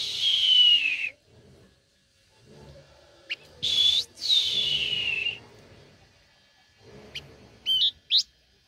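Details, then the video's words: Blue-winged minla, a very tame bird, gives long sweet whistles that slide steadily down in pitch, each about a second long, separated by short sharp notes and quiet gaps. "Chim khướu lùn cánh xanh/ Lục Cánh Xanh"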